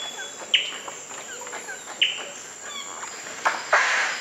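Twelve-wired bird-of-paradise giving two loud, harsh, downslurred notes about one and a half seconds apart. Faint chirps of other forest birds sound in the background.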